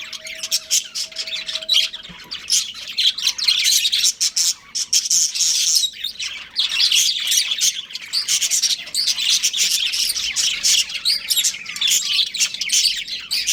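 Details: Pet breeding pair of budgies producing long, continuous warbling chatter full of quick chirps and grating squawks, barely pausing over thirteen seconds, faint hum behind.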